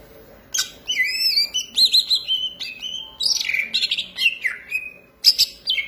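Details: Green leafbird singing with gusto: high squeaky whistles and chattering trills, downslurred notes and quick stuttering phrases, ending with sharp high chips.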